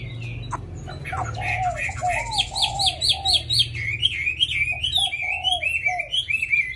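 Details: Hwamei kept in a cage, tame and singing a wild forest-style song: a rapid series of bright, wavering whistled notes over lower warbled phrases, with a steady low background hum.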